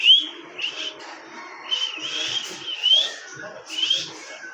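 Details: Pet parrot at home, kept as a talking bird: a series of short, bright whistled notes, several sliding upward, sounding about once a second with brief pauses between, over a faint low background murmur.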